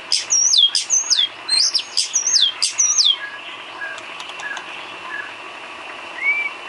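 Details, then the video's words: White-rumped shama filler song used for training cage birds: a quick run of loud, high, sweeping whistled notes with sharp downward slurs for about three seconds, then softer scattered chirps and a faint rising whistle. "Isian kicau burung murai batu"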